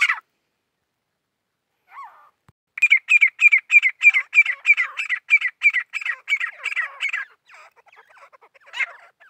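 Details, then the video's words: After a brief call and a faint note, a grey francolin sings a fast, very regular string of about twenty harsh, evenly spaced squawks, ending in fainter scattered notes. "teeter birds 🐦 grey partridge 🐦 songs"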